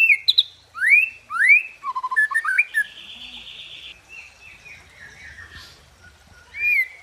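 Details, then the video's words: White-rumped shama song with tembakan and isian: sharp rising whistled sweeps and quick varied notes, followed by a softer, scratchy warbling passage, then a final clear rising whistle. "Dahsyaaatt Tembakan & Isian Murai Batu // AmAzing Bird chirping like no tommorow"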